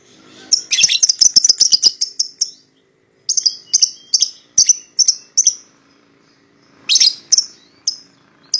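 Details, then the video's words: Lovebird pair of the paud type singing to lure a rival: a rapid rattle of high chirps, a short gap, evenly spaced chirps, then a harsher burst and a few last notes. "PASANGAN LOVEBIRD PAUD,!Pancingan Memanggil Lawan Agar Ikutan Bunyi"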